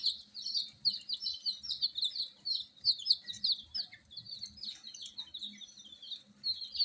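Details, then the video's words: Chorus of newborn frizzle chicks peeping at night, high thin chirps overlapping without pause, steady and insistent, with soft low rustling beneath. "Tot Murgi Chicks Chirping Sounds - Just Born Baby Gallina FRACAS Chicks Piar Loudly Sound"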